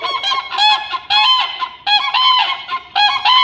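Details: Siberian common crane calling loudly: rich, rattling bugle notes in four quick bursts, each about half a second to a second long, several voices overlapping, no other sounds clear.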